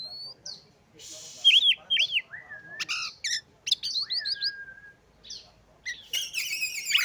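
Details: Oriental magpie-robin singing to provoke rivals: mixed whistles, long drawn flat note, harsh buzzy bursts and fast chattering notes, with some background noise.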